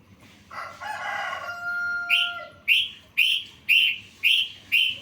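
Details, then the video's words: Sooty-headed bulbul training song with fill phrases: a long, steady, harmonic held tone lasting about a second and a half, then a run of six loud, sharp, clipped notes evenly spaced about half a second apart. "Masteran trucukan full isian"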